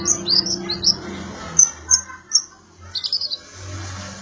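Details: Sunbird (local name kolibri ninja or konin) singing as song material for magpie-robins: squeaky high twitters, then three clear piercing notes spaced half a second apart, ending in a quick jumble of chirps over low hum.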